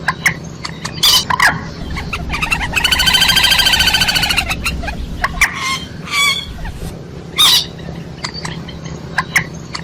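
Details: Chicken (Gallus gallus domesticus) hen giving a drawn-out, buzzy, nasal call lasting under two seconds, with sharp scattered clucks and knocks before and after.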